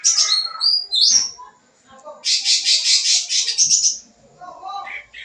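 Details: Sooty-headed bulbul singing continuously with varied fill-in phrases, played as a lure for young birds: short sliding whistled notes, then a long run of rapid, harsh, buzzy pulses about two seconds long, ending in softer lower chirps.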